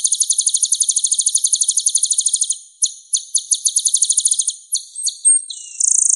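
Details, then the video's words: Kolibri ninja, or purple-throated sunbird, sings a clear high rapid trill lasting over two seconds, then slower stuttering note groups, thin whistles and a closing buzzy burst. Quiet background. "MASTERAN KOLIBRI NINJA Suara Bening Kualitas Juara"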